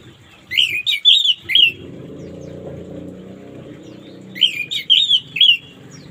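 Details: Orange-headed thrush singing in the morning, used as therapy for birds that won't sing: two bursts of rich, slurred whistled phrases, high and varied, separated by about three seconds of low rumbling background noise.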